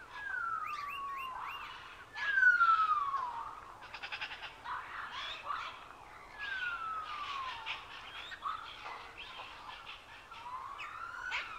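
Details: Macaw at Safari Park San Diego giving drawn-out, descending squawks repeated every few seconds, mixed with harsh rasping notes and chirps from other birds.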